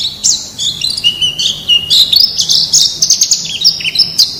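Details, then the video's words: Wild white-eye song used for training caged birds: a busy, continuous stream of high squeaky chirps and trills, jumping quickly between notes, over a low constant hiss. "Suara Masteran Pleci Ngalas Agar Cepat Buka Paruh"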